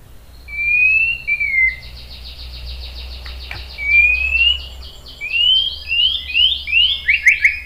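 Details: Lure song of a white-rumped shama, used to provoke answering birds: drawn-out rising whistles alternate with a buzzy, evenly pulsed series, ending in quick looping notes against a steady low hum.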